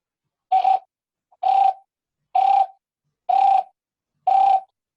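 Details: Green barbet call, typical of Indian forests: five loud, hollow, mid-pitched notes, each about a third of a second, repeated steadily about once a second against a silent background.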